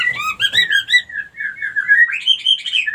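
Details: Female white-rumped shama calling, used as a lure to stir other females into breeding readiness: a loud, continuous warble of rich whistled notes wavering up and down, without pauses.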